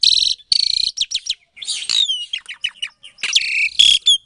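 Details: Captive-bred Asian pied starling in Klaten, Indonesia, singing as a lure to make quiet starlings reply; rasping buzzy phrases, quick rattles and bright whistled downslurs tumble together in a busy, scratchy outpouring.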